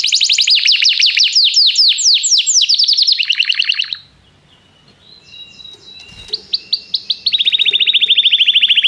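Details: Canary song calling another canary to sing, for song training: rapid descending sweeps, a near-silent gap with soft notes, then single chirps leading into a fast steady trill.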